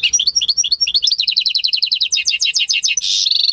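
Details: Song of a home-bred goldfinch × canary hybrid, recorded in May 2015: a continuous, rapid stream of high, bouncing chirped notes, speeding into a tight repeated twitter and ending on a buzzy, sustained trill.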